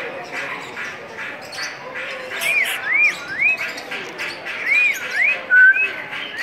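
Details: African grey parrot while children try to coax it into talking: about six wavy, rising and falling whistled notes from the middle of the recording onward. They sound over steady background chatter from the children.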